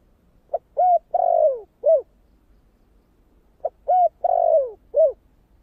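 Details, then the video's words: Steady spotted dove song in the deep 'thổ' style used to stir wild doves: two identical four-part phrases, short pip, mellow coo, long descending coo, closing note, separated by a quiet gap. "Tiếng cu gáy giọng thổ kích bổi chuẩn mới nhất"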